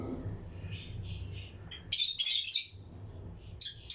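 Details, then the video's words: Lutino lovebirds in a breeding colony cage inside an aviary, chirping among other birds: shrill, high chirps in short clusters, louder bursts in the second half, over a low steady background hum. "Lutino Lovebirds Breeding Colony Cage - Chirping and Relaxing Sound"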